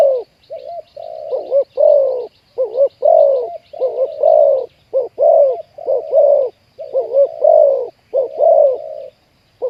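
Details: Cooing of a spotted dove during trapping with a decoy bird, with a deep 'khu ang' voice. A long run of low, rounded coos in paired short and long notes, with faint chirping from other small birds in the background.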